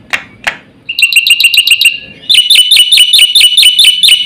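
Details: Black-winged starling in lively, varied song used as lure and tutor material: two sharp clicks, then a fast run of repeated ringing whistled notes, about eight per second, stepping higher halfway through.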